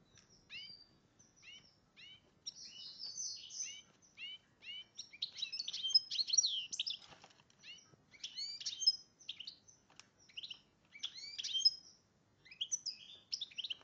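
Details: Goldfinch crossed with a red agate canary, a hybrid in breeding condition, singing a bright, fast twittering song of high chirps, trills and short warbled phrases, broken by brief pauses, with a quiet low background hum.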